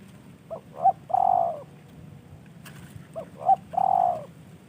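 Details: Spotted dove kept as a tamed pet bird, given by a fellow hobbyist, delivers two matching phrases about two and a half seconds apart. Each has two clipped notes and then a long, full, level coo, with a soft click between phrases.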